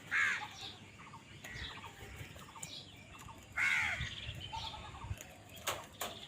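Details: Crows squabbling over food; two strong hoarse caws at the start and near mid-clip, with fainter answering caws and thin high chirps of small birds and light ticking noises between.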